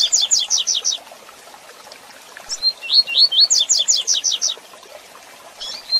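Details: A double-collared seedeater (coleiro pardo) sings its "tui tui zel zel" song: rapid bursts of sharp, high chipping notes run into brief slurred whistles, repeating every few seconds over faint background hiss. The song is used to train young or moulting birds.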